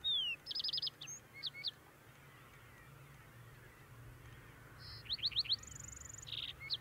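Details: Male lark sparrow singing on Antelope Island, Utah, on 6-08-2022, female nearby with food: two bursts of high varied phrases, rapid trills, clear whistles and a steady buzz, separated by a quiet gap over a low background hum.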